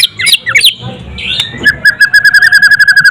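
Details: White-rumped shama, called murai batu, singing: a few varied sweet whistled notes, then a rapid even series of about fifteen identical clear whistled notes repeated several times per second; a voice is briefly heard at the start.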